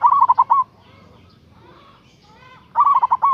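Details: Local zebra dove calling a rival, with two rapid, bubbly coo phrases at start and end, separated by about two seconds of softer mixed background sounds.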